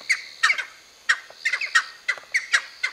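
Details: Group of seven cheer pheasants at Nainital giving loud, grating squawks in uneven bursts, some doubled or tripled, separated by short pauses.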